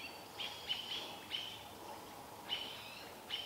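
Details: Mobbing American robins harass a barred owl in the Vancouver area as its young looks on; a handful of clipped, bright chirps sound at irregular intervals against a low, even outdoor hiss.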